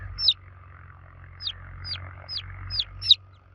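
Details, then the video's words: Baby chicks cheeping for the mother hen, with six separate high, downward-sweeping peeps spaced irregularly over a few seconds against a constant low hum. "Baby Chicks Chirping Sound For Kids Chicks Cheeping Loudly For Mother Hen"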